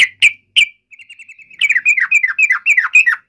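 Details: Yellow-vented bulbul fighting call for provoking a response: three sharp clicky chips, a thin quick trill, then a lively series of slurred, descending warbled notes.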